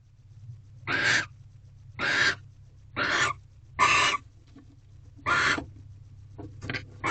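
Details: Nest-box barn owls during mating at night in February, the female gripping a rodent from the male. Five harsh screeches roughly one second apart, then brief clicking and scratching sounds at the end.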